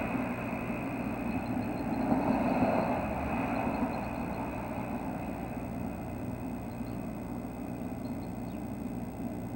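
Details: A steady low engine drone fills the recording, with faint distant high notes and no clear animal voice.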